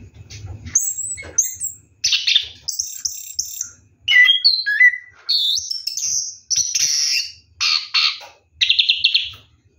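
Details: Rolling ngeroll song of an Orange-headed thrush taking a bath at night, made of regular bursts of high whistles, slurred notes and scratchy trills separated by short breaths, low rumble at the start.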